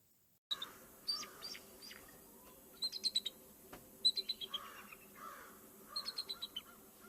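Bald Eagle giving high, thin chattering calls in quick bursts of four to six piping notes, repeated every second or two over a steady background hiss.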